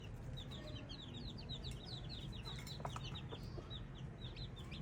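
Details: Baby chicks chirping: many high, quick peeping notes overlap in a continuous stream over a steady low hum.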